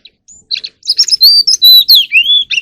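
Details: Oriental magpie-robin singing in the morning: a few soft opening chips, then a run of high, sweet whistles that slide up and down, ending in a long clear note.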